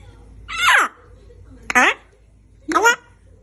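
A citron-crested cockatoo gives three loud, harsh, raspy squawks about a second apart, each dropping in pitch, in a quiet indoor room.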